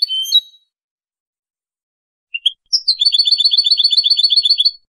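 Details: Male European goldfinch in Casablanca, Morocco, delivering 'limpio' clean song: a brief chirp, silence, then a couple of short notes and a rapid, even trill of doubled notes lasting about two seconds.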